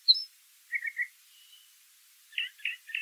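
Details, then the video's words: Brown thrasher song, fairly faint: a sharp high note, a doubled burbling phrase, a pause with a soft thin tone, then three evenly spaced rasping notes. "Birds Singing - Brown Thrasher"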